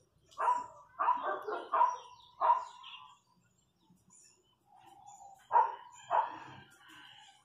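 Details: Countryside chachalacas uttering a few loud rasping calls in a quick series, a quiet gap with a soft lower note, then two more harsh strident calls.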